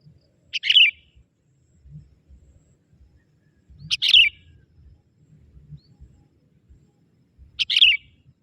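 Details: Young forest sooty-headed bulbul calling out to wild bulbuls as a lure: three short burbling chirps spaced about three and a half seconds apart, with soft low background noise.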